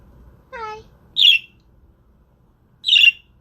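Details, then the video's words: Pet budgerigars at home; a short tonal rising whistle-like note, then two loud harsh squawky chirps more than a second apart, with low room hum beneath. "Webcam Live stream to make your budgies start singing"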